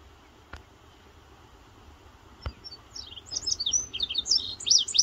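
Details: Morning song of an indigo bunting in West Virginia, June 2023: after quiet background with two soft thumps, a burst of high, quick, slurred chirps begins and continues to the end.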